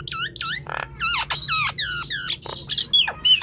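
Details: Lively Nias hill myna output, meant to prompt quiet birds of its kind to sing: a fast string of ringing, harmonic whistled notes that rise and fall, with short rough squeaks between phrases.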